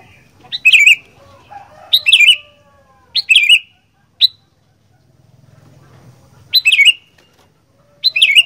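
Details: Sooty-headed bulbul, an Indonesian caged fighter bird, singing a run of quick loud phrases, several close together, each a sharp note sliding down into a buzzy end, with faint low hum behind.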